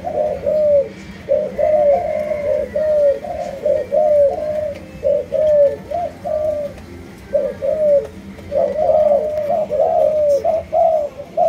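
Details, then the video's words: Spotted dove, Malaysian line, cooing in captivity: repeated soft, throaty notes in rolling phrases, a short pause near the middle, then a livelier run of coos. "Cu Gáy Malaysia Nhiều Dòng"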